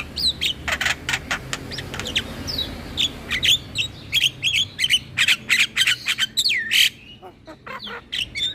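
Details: Javan myna lure song for mynas and starlings. Dense bursts of rasping notes and clicks pour out rapidly, followed by a clear looping whistle and a few final harsh calls.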